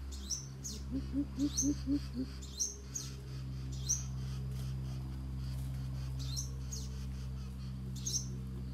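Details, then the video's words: Coucal call used to lure wild birds: a quick run of five or six deep, hollow hoots between one and two and a half seconds, over sharp, high chirps from other birds and a steady low hum. "Bìm bịp thiêm ku dụ bổi"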